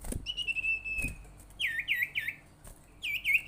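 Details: Lure call of the common iora for stirring other ioras into calling: a level trilled whistle, a pause, then paired hooked upswept chirps, with a couple of soft knocks at the start.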